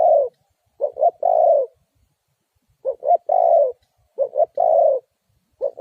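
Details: Repeated Spotted dove lure call for trapping wild birds: three complete cu-cu-croo phrases about 1.7 seconds apart, each two clipped notes and a long low falling coo, with no background noise.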